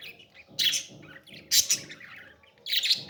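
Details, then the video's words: Young parrot calling during feeding: loud raspy squawks in three bursts about a second apart, each a hoarse, broadband chirp, with quiet gaps between. "beautiful parrot 🦜 baby feeding"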